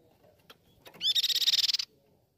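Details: Grey-cheeked tit-babbler (Mixornis flavicollis), song.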